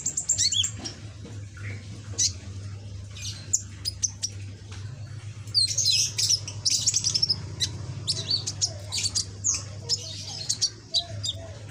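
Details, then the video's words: Still-young caged sunbird with a red back and green body, practising its song: scattered high ticks and chirps building into a dense, scratchy twittering burst, then more spaced sharp notes, over a continuous low hum. "Burung Kolibri ninja punggung merah ijoan gacor"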